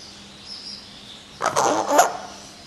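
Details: Pet common hill myna recorded in May 2015, trying hard to talk with its owner; a short burst of harsh, harmonic voice-like syllables lasting under a second, over a quiet indoor hum.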